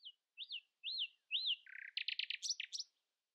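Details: Singing at dawn and refusing to be outsung, a common nightingale gives four looping arched whistles, a low buzz, a rapid pulsed trill and a few sharp high flourishes.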